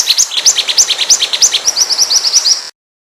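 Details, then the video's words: Pied triller song, used as a lure to draw other birds close: a fast run of short, high, upward-hooked chirps, about three per second, ending in a quicker series of thinner flat notes. "SUARA PIKAT MASTERAN BURUNG MANTENAN GACOR"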